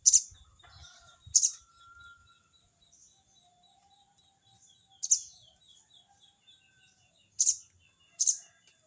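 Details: Crested jay calling a rival with its 'crecet cerecet' call: five harsh, sharp rasping bursts spaced irregularly over nine seconds, over a steady high insect-like drone.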